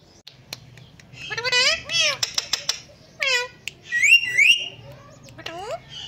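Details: Ringneck parrot known for talking, including Aslam Alaikum and Mitthu Bete, producing a busy run of speech-like squawky syllables with rising and falling tones, clicks and short bursts, over a low room hum.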